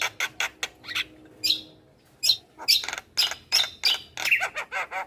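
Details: Captive-training recording of a lively Javan myna. Broken series of loud, harsh squawky bursts and sharp chips come in irregular clusters with short silences between.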